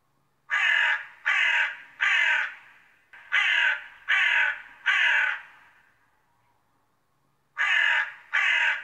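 A crow gives harsh, hoarse caws in two bursts of three, then a pair after a pause, each caw about half a second long with a slight echo.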